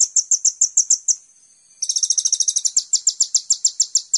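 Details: Kolibri ninja sunbird trilling for a training lure: evenly spaced sharp high notes, a brief pause, then a fast doubled buzzy trill that settles into regular, ringing pulses.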